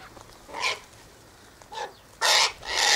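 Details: Sulphur-crested Cockatoo flock eating tossed birdseed mix by an eastern gate: two moderate squawks, then a very loud, harsh, rasping screech followed by another close, raucous cry.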